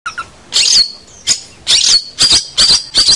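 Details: Caged long-tailed shrike (cendet) master song used to train young birds: harsh buzzy squawks and high whistled notes in bursts, loud and close.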